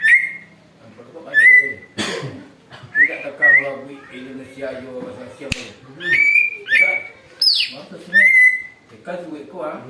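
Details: Greater green leafbird, a noisy singer used for trapping and said to mimic eagle calls: a run of bright upslurred whistles, a falling shriek near the end, sharp clicks and low chattering.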